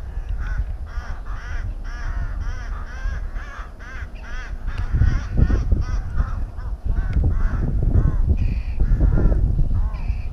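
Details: Rooks at a colony nest in Tyrnovo: a rapid run of nasal, slightly wavering caws about twice per second, joined by louder overlapping calls later, with gusting wind rumble beneath.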